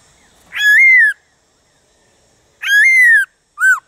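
Black-throated laughingthrush gives three loud, nasal, whistled notes, each rising then sliding down. The first two are long and the third is short, with quiet gaps between.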